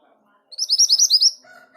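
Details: Orange minivet song burst of about nine quick, high, bright whistled notes, followed by softer lower tones from other sounds.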